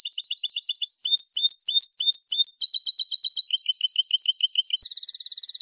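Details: Tutor recording of European goldfinch song for training birds: continuous rapid high twitters, liquid chirped phrases and trills, closing with a harsh, dense buzzing rattle.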